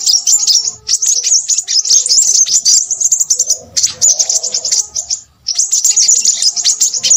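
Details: Crimson sunbird singing busily: a dense, very high, rapid twittering chatter with sharp ticking notes, broken by short pauses near four and five and a half seconds; faint lower tones sound underneath.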